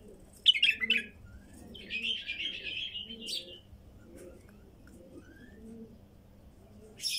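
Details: Wild female bulbul opens with a loud chirping flourish, followed by a long buzzy warbled phrase and fainter notes, accompanied by continuous rhythmic dove cooing.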